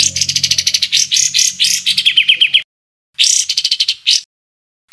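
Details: Bird sound from a compilation of 'tembakan kasar' tutor calls for training cage songbirds: rapid harsh high chattering notes in fast runs, a pause, then a shorter chattering burst and one more note.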